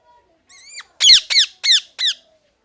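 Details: Parrot uttering a short series of loud, sharp, downward-sweeping squawks in quick succession after one thinner call.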